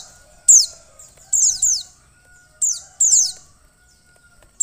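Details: Female mountain white-eye calling to stimulate the male: sharp high descending chirps in singles and pairs, separated by short silences, with faint low whistled tones in the background.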